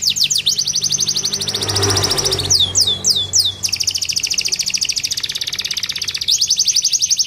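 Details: Canary masteran song with rich cengkok phrasing, played daily as a tutor so other birds sing diligently: high downward-sweeping whistles, a long fast even trill, rapid swooping notes, then the rolling trill again, with a faint low hum beneath.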